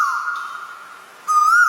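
An Asian Koel gives a long, clear, steady whistle, then a second whistled note that rises slightly at the end.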